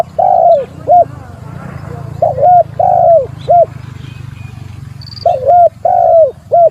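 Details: Spotted dove calling to challenge a rival: loud cooing phrases, some paired and some single, with short gaps and a longer pause midway, over a steady low hum and a brief faint high whistle.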